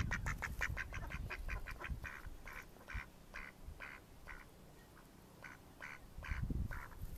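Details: In May 2014, a Mallard gives a run of about twenty harsh, nasal quacks, fast at first and then more spaced, over a low wind rumble.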